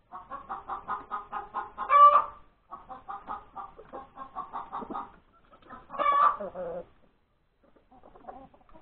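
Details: Hen cackling after laying an egg at breakfast time on Sunday, January 31, 2021: runs of quick, even clucks broken twice by a loud, drawn-out squawk, with softer clucking trailing off at the end.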